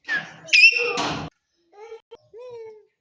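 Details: A pet green Rose-ringed parakeet (Psittacula krameri) talks: a harsh, screechy burst, then several short, clear, speech-like syllables at a middle pitch, possibly saying "mithu".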